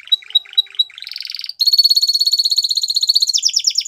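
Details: Canary song for training young birds: several short pure piping notes, a rising buzzy phrase, then a long rapid high trill breaking into quick descending chirps.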